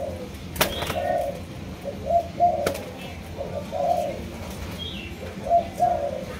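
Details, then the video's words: Malaysian-strain spotted dove cooing: short, soft hooting coos in scattered groups of two or three, interrupted by sharp clicks and knocks. "Cu Gáy Malaysia Nhiều Dòng"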